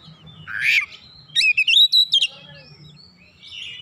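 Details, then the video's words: Oriental magpie-robin answering at once, pouring out learned song material: a harsh rasping note followed by a rapid, rippling phrase of five or six bright whistled notes, then quieter thin whistles. "Kacer langsung nyaut ngotot bongkar isian"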